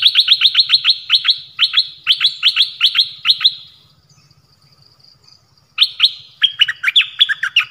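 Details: Malaysian Pied Fantail in full song, showing several song phrases. A long, rapid series of crisp, repeated down-slurred whistles is followed by a brief pause, then a more varied, twittering phrase, over a faint low hum.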